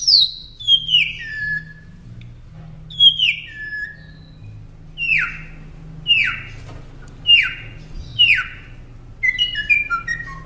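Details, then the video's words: Northern mockingbird song made for training caged songbirds: a series of high notes sweeping sharply downward, grouped in pairs and triplets, followed by a quick run of stepping descending chips at the end. "Masteran Pintar Burung Kicau Northern Mockingbird"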